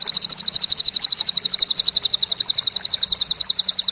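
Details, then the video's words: Cililin song prepared as training material for contest songbirds: a long, sharp, high trill of evenly spaced pulses, about nine per second, steady throughout, with faint background hiss. "Masteran Burung Lomba Isian Cililin"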